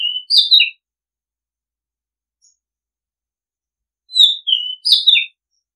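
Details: Oriental magpie-robin song for use as a decoy call: two brief whistled phrases about four seconds apart, each a gliding whistle followed by sharp, bright chirped notes, with silence between them.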